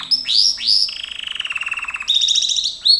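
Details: Gloster canary singing for training: two bright upward-swept notes, then a long, even low trill of rapid repeated pulses, ending in a higher, faster buzzing roll and a final sharp upswept note.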